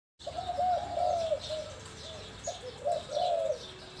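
Spotted dove cooing, soft low hooting notes in a run of short phrases with brief pauses, over faint high chirps from other birds.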